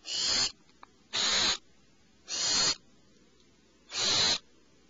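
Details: Alarmed owlets in a nest cavity, screeching and twittering: four harsh, hissing screeches, each about half a second long, spaced roughly every 1.2 seconds, with quiet gaps between.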